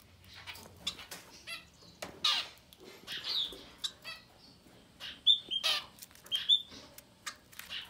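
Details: Young Society finch nestlings, no more than ten days old, begging loudly in sharp, hissing, high-pitched bursts. Brief clicks and thin tonal squeaks are mixed in, and one faint flutter is heard.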